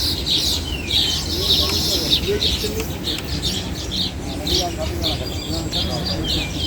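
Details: A busy chorus of baya weavers nesting in coconut trees beside a fishing pond in Dakshin Keraniganj, afternoon, a rainbow in the sky: high thin chirps and sparrow-like chatter overlapping almost continuously, with a man talking underneath.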